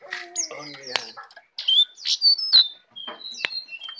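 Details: Tame brown prinia singing actively with a full repertoire of fill-in phrases: high chirps and sharp rising whistles in quick separate bursts, mixed with lower harmonic notes, a short silent gap midway.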